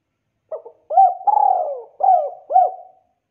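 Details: Spotted dove calling to other spotted doves, which answer: one low cooing phrase with a short opening coo, arched rising-falling coos, a long drawn-out middle note and two closing coos, in quiet surroundings.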